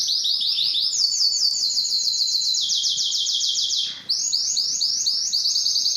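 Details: Singing canary: a high rapid trill held for several seconds, a short break, then a new series of quick repeated notes, all clear and loud.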